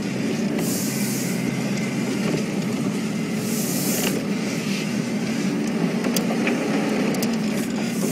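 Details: A vehicle engine rumbles continuously during a sunrise game drive, with rattles and a few sharp clicks, but no animal sounds.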